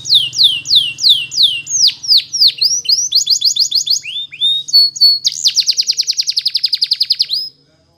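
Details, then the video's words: Canary singing a training song. Falling whistled sweeps lead into mixed chips and swoops. It finishes with a long, very rapid pulsed trill that stops abruptly into silence. "It's Impossible If Your Canary Doesn't Sound !! The Canary's Voice Called"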